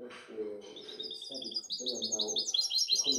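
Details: Seven-month-old goldfinch hybrid (mixed goldfinch) from the 2019–2020 season singing high, rapid twittering phrases of short chirps and trills, with a man talking in Arabic underneath throughout.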